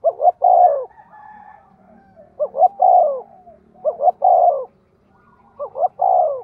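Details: Cooing decoy spotted dove, 'giọng thổ' voice, meant to provoke wild doves. Four phrases of quick rising notes ending in a drawn-out falling coo, with a faint low murmur behind.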